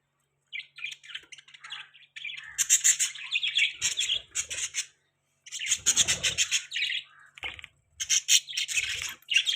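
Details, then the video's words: Pet budgerigars, also called parakeets, chirping while eating: bursts of busy warbled chatter and squawky notes, pausing briefly between runs. "Budgie chirping sound|Budgies parrot beautiful voice|Cute Budgies eating"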